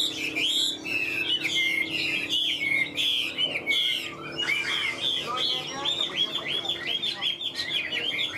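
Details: Newly arrived caged Chinese hwamei, about 95% tame, singing strongly: loud looping whistles and rapid slurred notes, a brief hush midway, then another burst of varied phrases.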